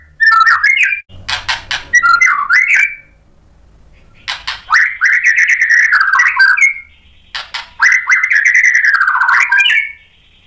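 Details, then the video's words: White-rumped shama singing to provoke other birds: three long phrases of rich warbled whistles mixed with buzzy notes, separated by pauses of a second or more, with a faint low hum. "SUARA MURAI BATU biar EMOSI NYAUT jadi GACOR BONGKAR MATERI ISIAN | PANCINGAN MURAI"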